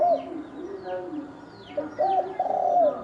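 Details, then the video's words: Spotted dove giving thổ đồng fighting-provocation coos, intended to excite males and wild birds: a coo, a pause with a low murmur, then a strong drawn-out coo phrase, with high falling whistles of other birds above. "Tiếng chim cu gáy thổ đồng kích trống kích bổi đánh nhau"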